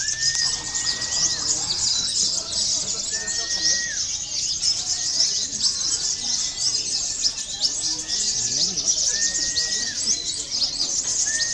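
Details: A local sunbird, played as a lure and therapy for contest birds, gives high, fast, chattering trills continuously, while a steady level whistle about a second long repeats every two to three seconds.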